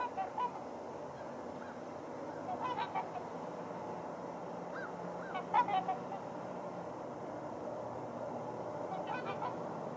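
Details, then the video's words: Crowded trumpeter swans on a water hole: scattered nasal, horn-like honks and a few rising notes from several birds, over a soft background hiss. "Trumpeter Swans in crowded water hole"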